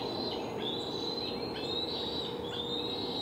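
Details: Hungry young bald eagles in a Delta nest, July 12, 2020, shortly before fledging; thin high squealing whistles in quick repeated bursts, masked partly by loud steady background noise.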